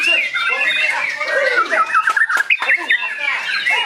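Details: White-rumped shama (murai batu) song: a dense, rich run of varied warbled and whistled phrases, quick slurred notes sweeping up and down in rapid succession, with brief sharper accents near the middle.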